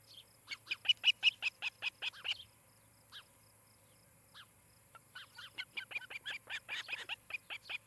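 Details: Osprey at its nest near Charlo, Montana, on a live nest camera, evening of July 17, 2018. Two bursts of rapid, sharp, whistled chirps, about a dozen notes each, separated by a quieter gap with a few single notes, over a faint steady low hum.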